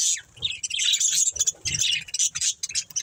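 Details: Budgies of a breeding pair chirping in rapid, scratchy warbles and sharp squeaks, dense and uneven over a few seconds.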